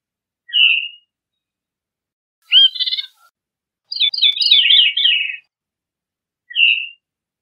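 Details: Veery giving short whistled notes and a burst of rapid, swirling descending notes between pauses; clean, quiet background.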